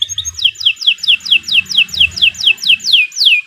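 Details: Canary in long continuous 'gacor panjang' singing, used as a master recording for training songbirds: a steady series of about eleven high whistled notes, each sweeping sharply downward, repeated roughly every quarter second.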